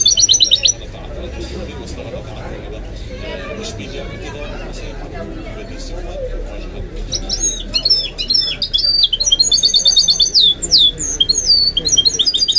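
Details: Goldfinch × canary hybrid in a cage, with a brief twitter, several seconds of near silence, then an energetic run of high, rapidly repeated chirps and warbled trills.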